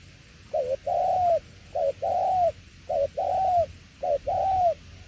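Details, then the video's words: Spotted dove delivering "tiểu liên nước" style coos: four paired phrases, each a brief wavering note followed by a longer, smooth, gently arching coo, repeated about once a second. "Đồng tiểu liên nước chơi quá hay luôn ae ơi"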